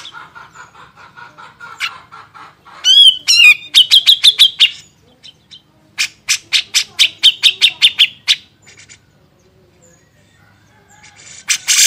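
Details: Training recording of a grey-cheeked bulbul: soft buzzy notes lead into rapid ringing chips in fast series, a pause, then another long string of sharp repeated notes and a harsh final burst.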